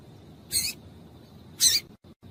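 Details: Two brisk, high, slightly noisy chip notes about a second apart from a female double-collared seedeater calling to warm up a male.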